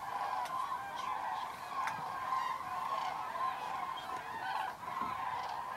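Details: Cranes flying in to roost on an October evening at Federow in Germany, shallow water from long dryness: a thick chorus of rolling trumpet calls from a large flock, with a few sharp clicks.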